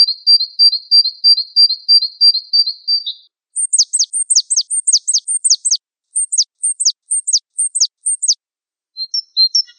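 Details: Gelatik wingko (Java sparrow) in a tutor-recording compilation: an even, high piping trill, then a regular series of very high, sharp descending chips repeated roughly twice a second, and a few closing chirps.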